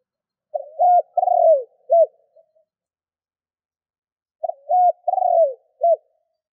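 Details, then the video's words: Spotted dove cooing as a lure for other doves: two identical phrases about four seconds apart, each a short note, a hooked coo, a long rolling coo and a clipped final coo, low and clear over silence. "Tiếng cu gáy mồi thúc gù kích bổi Hiệu quả"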